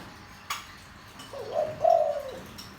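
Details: Deep-toned spotted dove meant to excite wild doves: one click, then a rising lead note and a drawn-out mellow coo.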